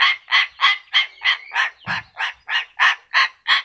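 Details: Talking yellow-crested cockatoo giving a steady series of eleven harsh, nasal squawks, evenly spaced about three per second.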